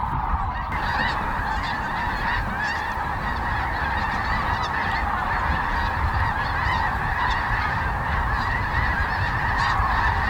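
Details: Before dawn on the Platte River near Kearney, Nebraska, migrating sandhill cranes lift off in big flocks and fly straight overhead, calling. Thousands of overlapping rolling, trumpeting notes merge into a steady roar, over low-pitched wind rumble.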